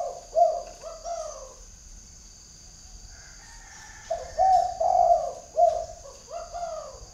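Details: Spotted dove decoy bird with a prominent bead-spotted collar, calling out to wild doves. Its soft, throaty coos rise and fall in short grouped phrases, with a pause between two bouts and a constant high-pitched hum.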